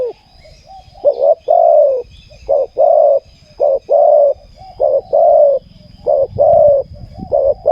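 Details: Spotted dove singing in a ground decoy session, a steady series of short-then-long coo pairs over nearly eight seconds, with a low rumbling hum and faint high chirps.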